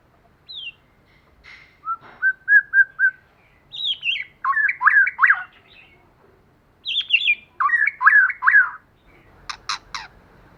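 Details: Forest-style song of white-rumped shama, a male and female pair used as a lure: a short flat whistled series followed by clustered fluty slurs in two bursts, ending with sharp clicks.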